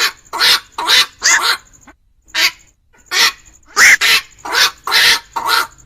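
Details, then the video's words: Black-crowned night heron calls played as a lure for trapping birds at night before Tet: harsh, hoarse croaks in short bursts, grouped in twos and threes with brief pauses. A faint steady high tone runs underneath. "tiếng chim vạc"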